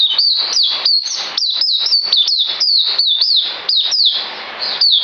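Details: White-eye, 9 December 2018, singing loud, shrill, down-slurred whistled notes in a rapid, slightly uneven stream.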